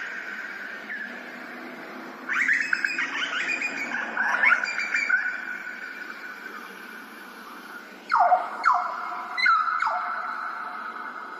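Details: Grey butcherbird in Australia, ambisonic surround recording: two bursts of rich fluted notes, the second with sharp downward-swooping whistles, separated by a quieter pause over a steady background drone.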